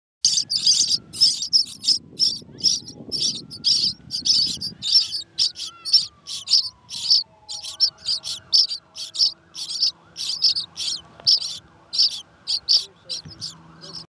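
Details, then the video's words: Starling chicks found in a tree hollow in a park give harsh, buzzy rasps two or three times a second, with a low rumble in the first seconds and a faint sliding whistle underneath. "ムクドリの雛 Baby starling"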